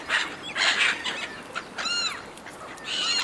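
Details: Flock of gulls fighting over food thrown by a person; loud bursts of rasping squeals alternate with clear arched, descending mewing calls and brief quieter gaps.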